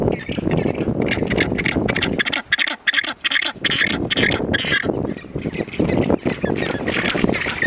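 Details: Magellanic penguin at Isla Pingüino, Puerto Deseado, Santa Cruz, Argentina, 18 January 2013, giving a harsh, braying run of rapid pulsed notes rising and falling like a donkey's bray, over low rumbling background noise.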